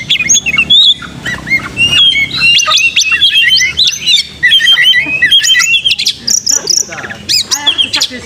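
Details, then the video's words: Lure song of an oriental magpie-robin meant to rouse young birds to sing hard, fight and open their tails; a dense, fast stream of sharp chirps, trills and whistled notes with barely a pause. "PANCING KACER BAKALAN CEPAT GACOR TARUNG BUKA EKOR DONGKRAK EMOSI"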